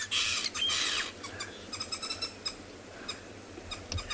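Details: Green wood hoopoes at sunrise on safari, making a squeaky kind of sound; after a loud burst of harsh noise, a run of short squeaky chattering notes repeated rapidly and irregularly.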